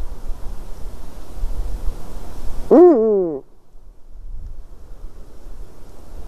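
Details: Eurasian eagle-owl sitting in a white-tailed eagle's nest, evening of 12 March 2019. One strong harmonic call, briefly rising then sagging, lasts about half a second. Steady low wind-like rumble before and after.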